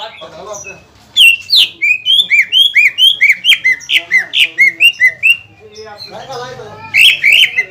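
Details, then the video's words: Greater green leafbird singing to provoke rival leafbirds and rouse them after moulting: after a soft start, a steady series of loud whistled notes, each bending up or down, about two per second, ending in a busier, harsher burst. "CUCAK IJO GACOR INI MAMPU MEMANCING EMOSI CUCAK IJO LAWAN HABIS NYULAM AGAR EMOSI KEMBALI"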